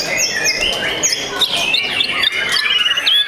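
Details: Young white-rumped shama, a kept bird, singing a dense, unbroken stream of overlapping high whistles, sweeping slurs and quick trills, with a few sharp upward flicks.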